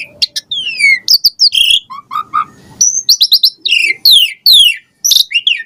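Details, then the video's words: Lure song of an Asian pied starling, full of variation: clear descending whistles mixed with harsh chattering notes and lower mellow tones, delivered in fast loud bursts. "Jalak Suren Gacor Full Isian Variasi Mewah !!! Pancingan Jalak Suren Ocehan Suara Burung"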